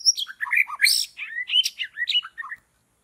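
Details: White-rumped shama singing in forest, used to trap birds: a short burst of varied whistled and chattering notes, jumping between high and mid pitches, about a dozen quick phrases over two and a half seconds, then silence.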